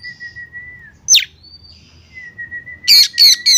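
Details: A female Oriental magpie-robin calls to a male with long drawn-out clear whistles, one sharp downward squeak between them, then three loud harsh rasping notes at the end.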